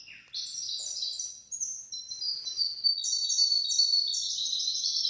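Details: Canary-goldfinch hybrid song meant as a model for training goldfinches and canaries. It opens with one falling note, then continues as a dense, unbroken stream of high, bright trills and twittering.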